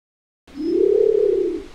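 A Nicobar pigeon gives a single low, hollow coo lasting about a second, rising slightly at first, then holding steady before fading. Nothing else is heard.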